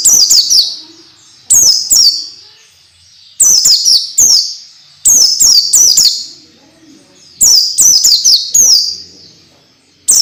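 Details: Tutor song for training young orange-headed thrushes to sing fast and often: repeated bursts of three to four sharp falling whistles, roughly every two seconds, loud and clean with silent gaps.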